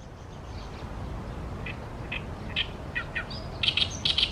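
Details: Oriental reed warbler at the Tama River: after a quiet first second and a half, harsh, chattering notes start, spaced and irregular, then grow louder and denser into rasping, buzzy clusters near the end, with faint low background rumble.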